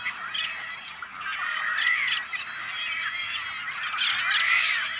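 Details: Rare Tricolored Blackbirds at an on-farm nesting colony in California's Central Valley, May 2012: a dense, continuous din of overlapping nasal, twangy calls from many birds at once, with scattered higher squeaky notes throughout and no pauses.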